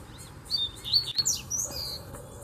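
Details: Wild Double-collared seedeater singing from a distance in a bamboo grove: a quick series of high, thin whistled notes, some slurred upward, with a low background rumble.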